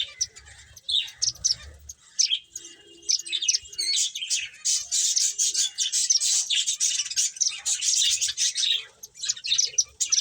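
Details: Finches playing, giving a dense chorus of high, rapid chirps and tweets that overlap almost without pause. After a quieter first second the calls thicken into continuous twittering, with soft low thumps near the start.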